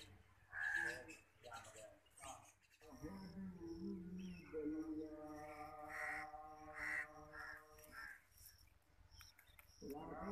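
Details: A hand-reared pet Long-tailed Shrike (Lanius schach) chick gives harsh, nasal, drawn-out calls, rising slightly, across several seconds; a human voice is heard at the start and end.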